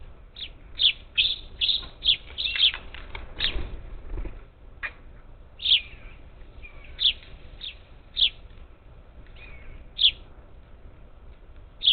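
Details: Flock of up to ten parakeets at a feeder outside Houston, Texas, Gulf Coast, July 27, 2021; a dense flurry of clipped high squawky chirps early on, then single calls spaced about a second apart.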